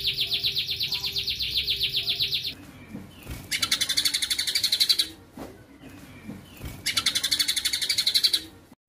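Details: White-rumped shama singing 'tembakan' combination phrases: long rapid trills of high, piercing repeated notes, broken by quieter low chattering gaps, then two more fast trill bursts of several seconds each.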